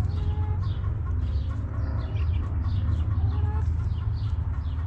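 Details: Backyard chickens in their coop, hens clucking softly with short low murmured notes scattered throughout, several birds overlapping, over a steady low rumbling background hum.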